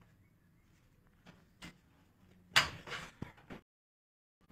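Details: Indoor thumps and a door sliding and slamming, with short rattling knocks and a low hum, then silence; no animal voice is heard.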